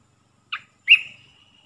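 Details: Olive-winged bulbul decoy song, a three-phrase style played to attract wild birds. One short buzzy note, then a strong slurred note that trails off into a long, thin, steady whistle, with no other sounds.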